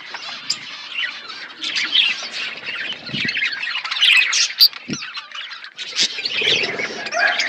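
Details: A budgie colony chirping and chattering, overlapping squeaky warbles and short notes throughout, with a few lower harsh squawks standing out.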